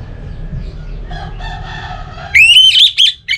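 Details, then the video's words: Orange-headed thrush lure song for caged birds: soft, murmuring harmonic sounds give way to a loud, rising whistle and a few sharp, high chirps at the end. "ANIS Merah Dirumah Pasti Bunyi Dengar Pancingan Kicauan Burung ini"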